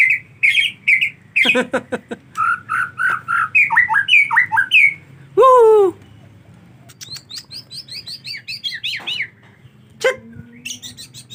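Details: White-rumped shama singing in the rainy season, linked to bathing: dense rapid chirps and whistled phrases, a loud falling harsh note midway, then fast high repeated notes.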